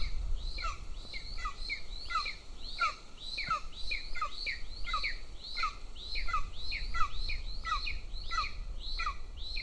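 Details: Small golden eagle chick begging at a nest near a training ground in Northern Estonia while the elder chick is fed; continuous stream of high, thin, descending squeals with steady low background noise.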